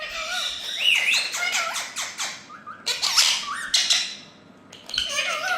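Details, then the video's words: Group of Indian ringneck parakeets, all talking together: harsh, harmonic squawks and rapidly bending, speech-like chatter in overlapping bursts, with a brief lull near the end before the calls resume. "Parrots Group All Talking"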